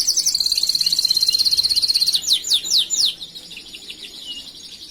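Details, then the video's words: Canary singing a master song for tutoring other canaries: a long rapid high trill of evenly pulsed notes, then a few loud down-slurred whistles, fading into quieter chatter. "Masteran burung Kenari"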